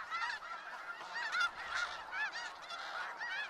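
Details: Skagit Valley snow geese calling en masse, a constant babble of short, yelping honks with bright upward-curving notes rising above the crowd.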